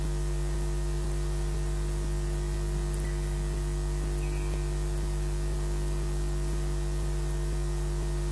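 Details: Constant electrical mains hum with a layer of static hiss, unbroken across the recording and without any audible animal voice.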